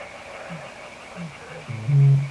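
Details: Eurasian bittern uttering soft low grunts that build into one deep, loud hollow boom at the end, against a faint background hum.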